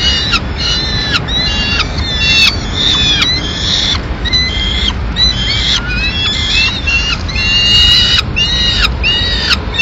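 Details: Peregrine falcon chicks in Madrid, 19 May 2016, eating a pigeon the female has delivered. Rapid series of short harmonic squeals, many dipping or bending in pitch, several per second in irregular bursts, with low rumbling noise behind.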